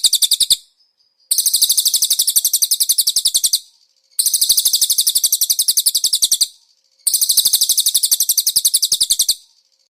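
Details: Konin master song with cililin phrases, meant for training caged birds: high, dense trills repeated in long bouts of about two to three seconds, with pauses of under a second between them.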